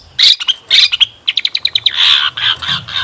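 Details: Long-tailed shrike song with lavish fill-ins, used as a lure to make kept shrikes answer; harsh buzzy bursts alternate with a quick series of short clipped chirps, ending in drawn-out rasping notes.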